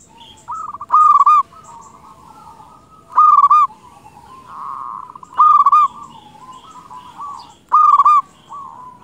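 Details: Lure recording of a local Zebra dove in full song: four loud rolling coo phrases of rapid stuttering notes, spaced about two seconds apart, over continuous softer cooing from other doves.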